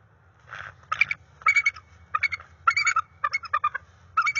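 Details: Female bald eagle of a resident pair at the NCTC nest, 30 January 2021, chanting her routine call to initiate mating. Rapid, thin, piping chitter notes come in clipped bursts about every half second, with a low background hum.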